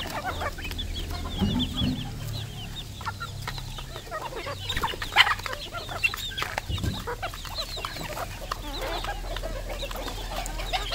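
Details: Red junglefowl (Gallus gallus), a wild-type bird offered for sale, gives low clucks and a brief, louder, higher call midway, over a constant background of clicks, crackles and rustling.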